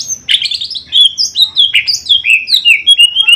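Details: Male and female greater green leafbirds being paired: a lively, varied phrase of clear whistled notes that leap between high and middle pitches, each slurring downward, delivered without a break.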